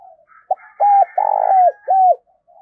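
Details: Decoy spotted dove calling in the 'thúc' and 'gáy gọi' styles to stimulate and train decoys. Deep four-part coo: a short note, a level coo, a vibrating longer coo, and a falling last note, over soft, higher chattering calls in the background.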